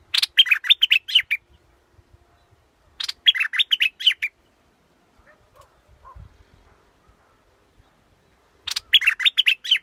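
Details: Scarlet-backed flowerpecker giving three loud bursts of rapid, buzzy, chattering notes, each lasting about a second and a half, with long silent gaps between them and faint soft notes in the middle.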